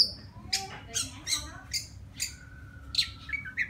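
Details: Courting a female, a wild white-rumped shama delivers sharp, spaced, clicking chips roughly three per second, followed by a long thin whistle and a couple of rising notes at the end.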